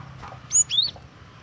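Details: Cinereous tit song used for luring and tutoring birds: one crisp, high whistled note followed by a lower upslurred note, a brief paired phrase over a low background hum.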